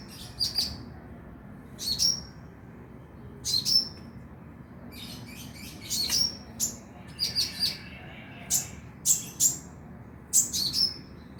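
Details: Van Hasselt's sunbird (kolibri ninja) lure recording to make caged birds sing at night: sharp, very high thin chirps and short twittering bursts in irregular clusters, with steady low background hum.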